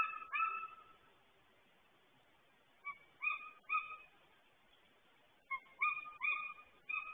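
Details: Golden eagle at its nest, filmed by a live nest camera as a new eagle arrives: short, clear yelping notes with a slightly rising pitch, given in loose bursts of two to four, separated by quiet gaps.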